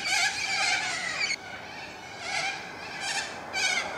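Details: Little corellas (Cacatua sanguinea) in suburban Melbourne, Australia, on 2 April 2014, give harsh, grating screeches in overlapping bursts: one long rasping cry, then several shorter ones about every half second.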